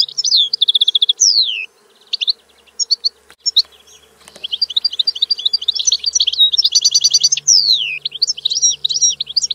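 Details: Loud, nearly continuous goldfinch song: bright liquid twitters, buzzy trills and clear downward-slurred notes tumbling together with barely a pause, over a soft background hum.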